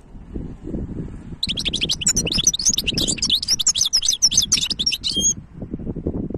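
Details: Singing goldfinch hybrid from 2023: after a quiet start, a rapid stream of high, jangling twitters and short buzzes runs for about four seconds, then stops, leaving low background noise.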